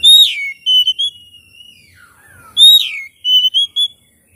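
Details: Loud, clean Oriental magpie-robin lure song for coaxing a silent bird to sing and spread its tail: pure whistled notes with a long gliding tone, a low slurred dip, then a repeated bright whistle phrase.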